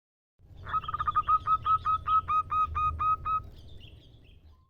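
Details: Local female zebra dove calling a male. A single quick series of about a dozen short, clipped, whistled notes, even in pitch, first rising in loudness and then fading, over a soft low hum.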